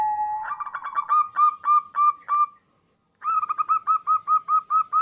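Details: Local female zebra dove calling to a male, used as a lure: two bursts of quick, evenly repeated short cooing notes, each clipped and slightly falling, separated by a brief silent pause.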